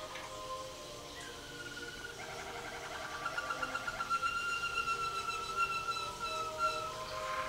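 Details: Caged Waterslager canary singing in the 2011 WWC singing contest, scored 114 points with Klok and Bol tours: long sustained whistled notes, then a rapid bubbling rolled section, and a steady drawn-out whistle.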